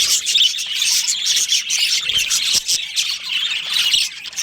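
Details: Budgerigars from a breeding colony, a chorus of many birds giving dense, overlapping high chirps and scratchy warbles with no pauses.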